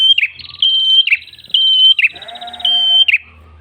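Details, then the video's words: Red-headed prenjak lure song: trilled whistles, each ending in a buzzy drop, about four in under four seconds, with a lower tonal call midway. Ngalun-style gacor singing. "PRENJAK KEPALA MERAH GACOR SUARA NGALUN ENAK COCOK UNTUK PIKAT/PANCINGAN BURUNG ANDA"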